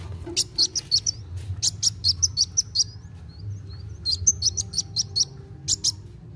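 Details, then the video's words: Kolibri wulung sunbird singing hard in fast-paced style to spur young birds into song, giving bursts of piercing high chips in quick runs, broken by brief pauses and a few thin, sliding notes, over a steady low hum. "KOLIBRI WULUNG GACOR NARUNG CEPAT MERANGSANG BUNYI BURUNG BAKALAN"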